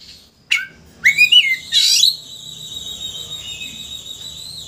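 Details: Oriental magpie-robin sound used to excite a rival into opening its tail. A sharp note is followed by a rising whistle and a buzzy burst, then a long steady high whistled tone that fades out.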